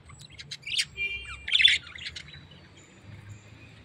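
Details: A tame pet parrot lets out a quick run of scratchy chirps, then one louder rasping squawk, before falling quiet over a faint low hum.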